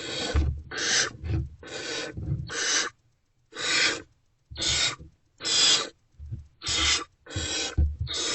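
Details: Barn owls at a nest box during night-time food deliveries, 28 February 2024 around 2:15 am: harsh, breathy hissing screeches about half a second long, repeated roughly once a second, with low thumps and scuffling between bursts.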